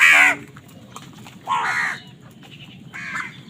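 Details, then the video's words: Crows competing for food: three harsh, nasal caws about one and a half seconds apart, the first loudest, each dropping slightly in pitch. "কাকের ডাক Crow Sound Crow ki Awaz Loudly | Crow bird Fight for Food"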